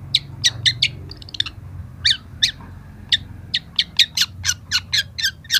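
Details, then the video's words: Young long-tailed shrike in a training recording, giving a run of sharp, harsh high notes, some paired and quick, mostly spaced in a steady series with short gaps, over a faint low hum. "masteran cendet muda"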